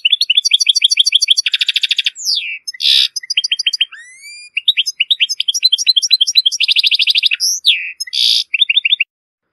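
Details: European goldfinch, Moroccan, in strong, error-free song used to tutor goldfinch and hybrid chicks: fast runs of liquid twittering notes broken by dense buzzy rattles, a nasal downslurred note and thin rising whistles, with no other sounds.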